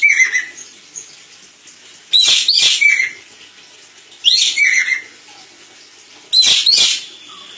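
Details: Crested jay in a master recording used for training other birds: harsh, buzzy rattling bursts about every two seconds, each mixed with bright higher notes and a short clear whistle, with quiet background between bursts.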